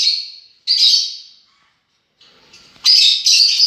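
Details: Lovebirds, several birds said to be enjoying themselves, give a harsh, shrill screech that fades out, then after a pause a louder burst of rapid, strident chattering calls.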